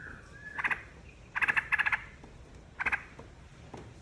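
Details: Yellow-vented bulbul singing, played to coax other birds to answer: brief bubbly phrases of rapid, liquid chirps in clusters of two to four, with short pauses between them.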